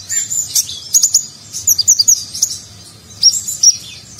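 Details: Sunbird (konin), a nectar-feeding songbird, singing a lavish, busy 'nagen'-style song used as a training recording for contest birds: high, thin chirps and sharp whistled notes in quick bursts, with a quiet low hum beneath.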